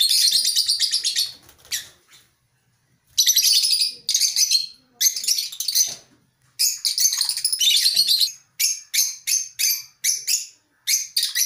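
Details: A colony of African lovebirds chattering: shrill, high-pitched squeaky bursts from several birds in overlapping bouts, separated by brief pauses, with occasional wing flutters.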